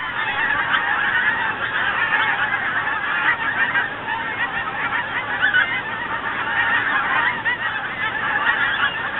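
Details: A flock of geese heading south with winter coming, calling in flight: many honks overlap into a loud, unbroken chorus of nasal yelps that holds steady throughout.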